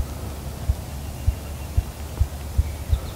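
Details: Ruffed grouse (Bonasa umbellus), drumming.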